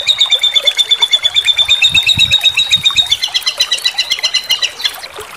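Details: Competition-bird tutor recording of a white-rumped shama, sambung susun style with tembakan: a fast rattling trill that holds level, then turns to separate chipping notes near the end, with faint low thumps underneath.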